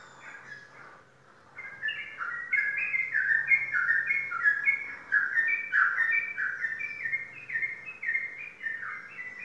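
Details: Caged sooty-headed bulbul, a champion competition bird, singing: a continuous run of short, bubbly, warbled phrases that rise and fall, repeated rapidly for about eight seconds, with a faint low hum underneath.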